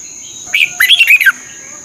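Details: Red-whiskered bulbul song from Thailand, played to rouse caged birds and train the crest. A single short, cheerful phrase of rolling warbled notes is heard over a continuous high electronic whine.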